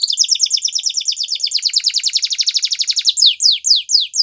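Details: Spanish Timbrado canary singing: a fast, even trill of sharp descending notes about ten per second for three seconds, then a few slower, louder sweeping notes, all high-pitched and clean.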